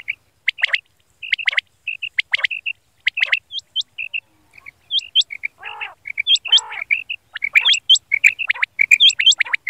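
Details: Male quail call used in hunting, heard morning and night: short whistled notes in clusters of two or three, interspersed with hooked high chirps, harsh buzzy bursts and steep descending squeaks, with brief silent gaps.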